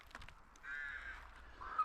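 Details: A rook at a woodland rookery in spring, where rooks are making a lot of noise, gives a harsh, drawn-out caw lasting nearly a second, then a shorter rasping note, with a few faint clicks just before.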